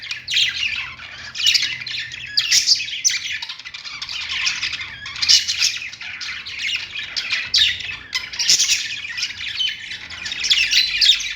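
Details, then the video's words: Several budgies chatter on a perch, their song a busy run of rasping chirps, squeaks and warbled twitters rising and falling in loudness in waves every second or two, with a faint low hum underneath. "budgies singing on perch"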